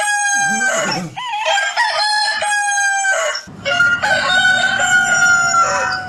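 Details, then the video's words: A rooster crows loudly at dawn on a small farm: a harsh, stuttering start rising into a long, drawn-out, strained note, with clucking and other farmyard fowl in the background. "Ouça o Som de Galo, Galo Cantando no Sitio ao Amanhecer - Rooster Singing"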